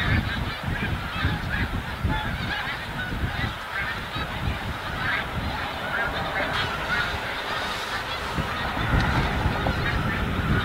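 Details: A large migrating flock of snow geese at Montmagny, Quebec, gives a dense, unbroken chorus of high, nasal honks and yelps, overlapping throughout, with steady low wind rumble underneath.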